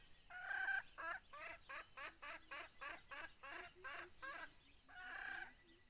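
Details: Red junglefowl during hunting with a decoy bird: a series of about a dozen quick, harsh clucking notes in steady rhythm, bracketed by longer, fuller calls at the start and end, over a soft background hiss.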